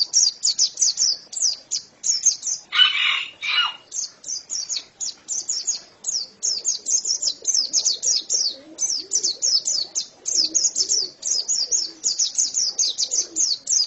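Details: Extended pleci, or white-eye, song: dense, unbroken streams of high, thin, downslurred chirps; a short rustling burst like flapping interrupts near the start before the twittering resumes.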